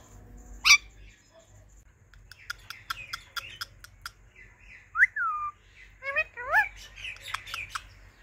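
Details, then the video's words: A pet pair of talking Indian ringneck parakeets chirping loudly while eating pomegranate: varied short chirps, clicks and clear whistled upslurred and downslurred notes, scattered irregularly over a faint low hum. "Talking Ringneck Parrot Chirping Loud"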